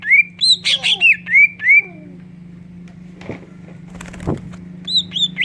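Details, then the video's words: Greater green leafbird song with kingfisher mimicry, meant to prompt other leafbirds to sing: clear whistled notes that rise and fall, several in quick succession, a quieter gap with faint knocks and a steady low hum, then more whistles. "Pancingan suara cucak ijo isian tengkek udang"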